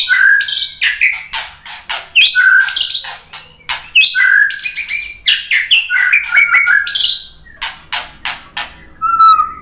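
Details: White-rumped shama (murai batu) performing a varied lure song to make other birds respond: a rich medley of mellow whistles, quick chirps, rasping buzzes and clicks in rapid changing phrases, ending on a clear low whistle.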